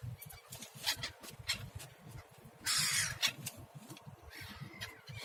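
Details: Hungry gulls begging for food at a harbour beside a parked car, giving a scatter of sharp, harsh squawks with one loud, broad screech near the middle, over a steady low engine rumble.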